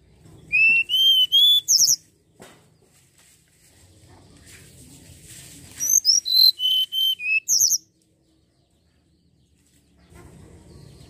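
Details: Common iora lure recording: two bursts of rapid, clear whistled notes, about six to eight per phrase, first falling then rising, with a quiet pause between.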